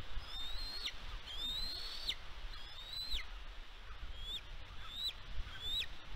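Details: A bald eagle calls at the West End nest, Catalina Island, California, on 16 May 2022. Three longer piping whistles climb and then plunge, followed by a quicker run of short chirping notes. Faint wind rumbles beneath.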